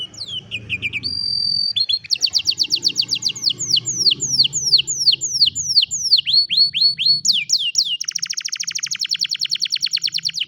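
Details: Canary singing, recorded on a mobile phone: fast rolling trills and rapid series of downslurred whistles, shifting into a long buzzy high trill and then a quick, even rattle of notes, with faint low background hum.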